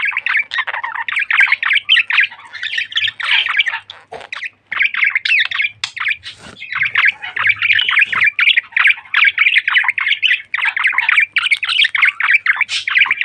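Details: A pet budgerigar pair, a male and his mate, chatter and warble continuously in a busy stream of squawks, clicks and chirps.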